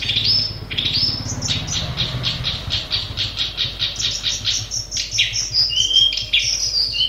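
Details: Long-tailed shrike singing in its natural habitat, a varied chattering sequence of sharp clipped notes and a few whistles, with a low vehicle-like rumble in the background.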